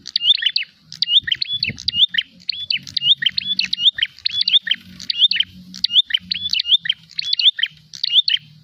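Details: Prinia in fighting mode looking for an opponent: continuous series of bright, clipped chirp clusters, roughly ten phrases in under nine seconds, over a faint low hum and a brief thump.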